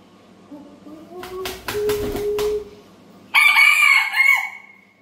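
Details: A rooster's soft rising murmur and a few rough bursts come before a loud, hoarse crowing call that rises, holds, then drops away near the end, against a quiet background.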